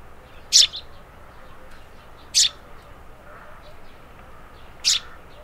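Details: Eurasian tree sparrow chirping: three sharp, high, short notes spaced roughly two seconds apart, with faint thin twitters in between and a quiet background.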